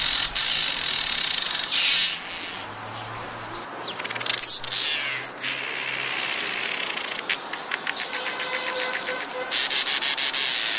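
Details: Black-headed or village weaver calling: loud, continuous, high buzzy chatter with rapid rattling bursts and short sweeping notes, fading briefly in the middle and then returning as a steady stream of ticking rattles.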